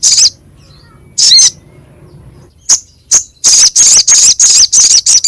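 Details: Crescent-chested babbler (sogok ontong) song used to stimulate caged songbirds: isolated harsh rasps and sharp clicks, then a steady rapid series of loud, buzzy, scratchy notes.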